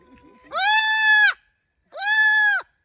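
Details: Pet cockatoo calling out in public while a crowd gathers. Its loud voice is described as beautiful. Two long, flat, harsh screeches, each under a second, are separated by a short pause, with faint background music beforehand.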